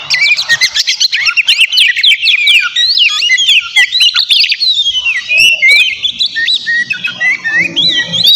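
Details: Energetic Oriental magpie-robin song played to goad a rival into replying: rapid bursts of sharp rising and falling whistles and buzzy chatter tumbling together without pause, loud and high-pitched throughout.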